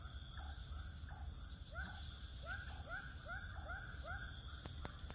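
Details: Swiftlets in a bird house at Pekanbaru, Indonesia, give quick upward-sweeping chirps in a fast series of about three per second, with sharp clicks near the end and a constant high hiss behind.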